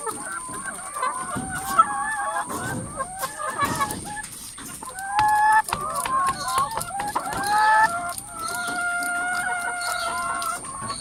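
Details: Many hens crowded in a coop, calling over one another with drawn-out, wavering squawks and clucks that rise and fall. A steady high-pitched whine runs underneath throughout.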